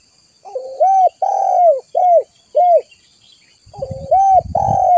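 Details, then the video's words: Spotted dove call for luring other doves: a soft lead-in note then four arched coos, the second long, a short gap, and the phrase restarting over low rumbling noise. "Suara pikat burung tekukur terbaru paling Ampuhhh...."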